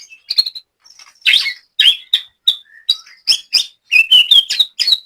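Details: Caged white-rumped shama from Banyumas, Central Java, singing scattered high whistles, harsh burry notes and quick slurred phrases with short gaps.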